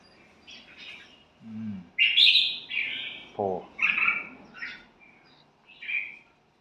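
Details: Red-whiskered bulbul gives bright chirps and short warbled phrases, with a brief low human voice between notes.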